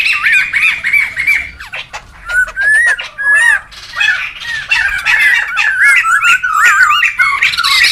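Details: Laughingthrushes calling loudly in the wild, for bird luring and tutoring: bursts of squawking chatter and curling whistled notes in uneven surges, with short quieter gaps between outbursts.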